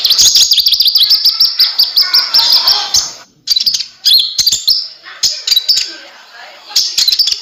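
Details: ['Konin (kolibri ninja) singing energetically, used as a tutor for other birds: fast high twittering and sharp chirps, with a brief murmur of voices beneath and a short silent break midway.']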